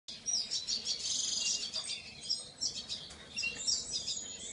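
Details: Painted bunting giving dense, high, twittering chirps in quick succession, a continuous bright chatter with short pauses and faint background hiss.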